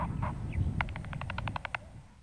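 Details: A Short-eared Owl gives a few harsh barks, then a quick run of about ten yapping 'chef-chef' notes over one second, the barking call given when alarmed or being mobbed, above a low rumble.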